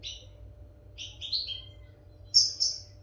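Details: European goldfinch, recording for educating captive birds: a brief chirp, then a cluster of tinkling, descending high notes near the middle and two sharp bright chirps close together at the end, low hum underneath.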